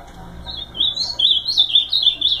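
An ultramarine grosbeak gives a rich, sweet warbling phrase of slurred, rising and falling notes, starting after a brief pause and running on smoothly without a break.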